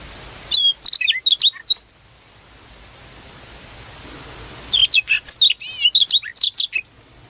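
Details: Prinia in the wild delivering two bursts of high, thin whistles and twittering slurred notes, separated by about three seconds of soft background hiss.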